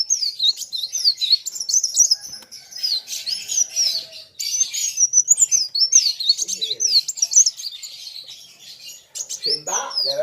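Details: Kolibri wulung sunbird in full song, meeting a rival that sings back: long runs of high, squeaky, fast-changing chirps and warbled twitters, with a few faint lower sounds in the background.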